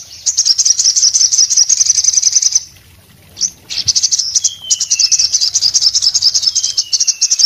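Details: Orange-headed thrush singing vigorously: a fast, high chattering trill lasting over two seconds, a brief pause, then more rapid twittering laced with thin, gently descending whistles.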